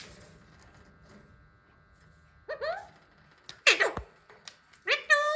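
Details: Hand-tame Alexandrine parakeet trying to talk: after a quiet start, short harsh harmonic squawks with rising tones come at about two and a half, three and a half and five seconds, in a small indoor room.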